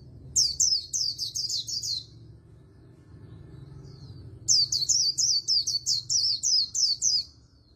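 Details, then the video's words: Oriental white-eye giving a super-fast líu training song: seven quick high whistled phrases, a quiet pause with a few faint notes, then a longer run of about ten similar phrases. "Luyện Giọng Vành Khuyên Líu Đấu Siêu Nhanh | Khuyên Líu Kích Bổi | Khuyên Líu Giọng Chòe Chuẩn"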